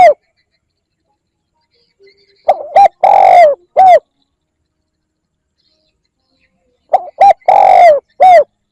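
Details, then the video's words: Spotted dove call for luring wild birds: after a quiet gap, two phrases roughly four seconds apart, each with stuttering short coos, a long loud falling coo and a crisp closing note. "CU gáy gọi kích bổi nhanh nổi Hiệu quả / Tiếng chim cu gáy kích bổi"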